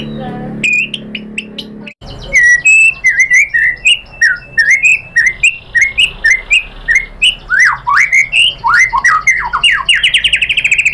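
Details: White-rumped shama, female calling the male to provoke singing: after a brief muffled start, a lively run of varied whistled and slurred notes speeding up to fast rising and falling phrases, about three per second.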